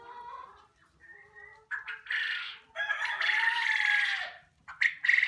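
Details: Young quail vocalizing at a poultry unit: soft tonal notes build into long, harsh, noisy squawking, ending with a few sharp clipped calls.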